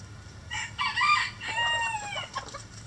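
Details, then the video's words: Rooster crowing in a backyard chicken coop: a loud, harmonic, drawn-out cock-a-doodle-doo rising then falling over about two seconds, with a faint low hum beneath. "Chicken Coop Relaxing Rooster Crowing"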